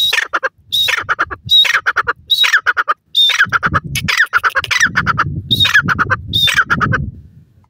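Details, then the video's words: Female grey francolin giving its call in a steady series: each phrase opens with a sharp high whistled note, then breaks into a harsh stuttering rattle, repeated about every second, with some low background rumble. "female dakhni teetar ki awaz, bhura teetar ki boli"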